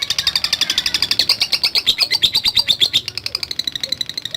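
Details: Lovebird giving a long ngekek chatter, used to provoke other lovebirds: a fast, steady run of sharp, high, buzzy pulses that swells in the middle and eases off near the end.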